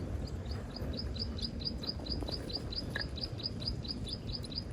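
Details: Birds at a nest where parents feed hungry chicks: a fast run of thin, high chirps repeated about every quarter second over steady low rumbling background noise.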